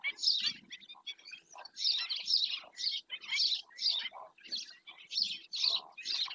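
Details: Black-winged stilt at Doñana uttering loud, raspy yaps in irregular pairs and triplets, roughly two each second, with quieter clicks between.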